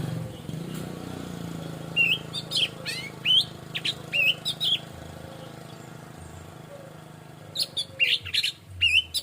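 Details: Orange-headed thrush, known locally as anis merah, in relaxed 'plong' song: clusters of sharp, bright, high whistled and chirped notes, a quiet gap mid-way, then another rapid burst, with soft low tones droning behind.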